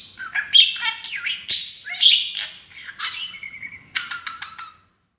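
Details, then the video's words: Little pet parakeet speaking taught English phrases while playing; warbled, scratchy chatter with squeaks, ending in a fast stutter of clicks before silence. "Auzzie the TALKING Parakeet!!!"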